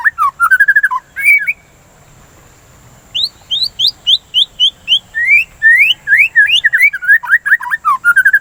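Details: Song of a white-rumped shama, meant to stimulate singing: a brief whistled phrase, a gap of about two seconds, then a long fast series of sharp upslurred and downslurred whistles.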